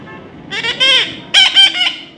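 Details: Baby parrot being tamed, letting out two loud grating squawks, each a quick doubled or tripled harsh note with rich overtones, filling most of a short moment.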